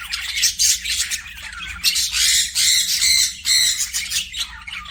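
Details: Budgerigars kept as pets chirp and warble in busy bursts, with rapid, raspy twittering notes crowding together in loud pulses about every half second and a soft background hum.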